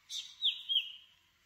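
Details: Black drongo, a common resident of tropical southern Asia, uttering a brief phrase: a rasping first note, then two clear descending whistles running into a fading tail.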